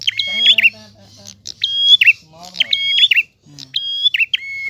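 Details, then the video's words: Prinia in clear, drawn-out 'ngalun' song: click, held high whistle with a lower tone and a twisting end, repeated; lower harmonic warbling sounds and a low hum run underneath at times. "Prenjak Gacor Ngalun. Suara jernih."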